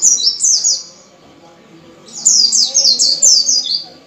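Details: White-eye song as a lure to make caged white-eyes sing, with fast chains of high slurred descending notes in two bursts, the second longer and denser, separated by a quiet gap.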